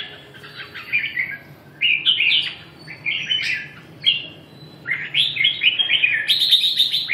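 A red-whiskered bulbul sings bright, bubbling whistled phrases in quick bursts.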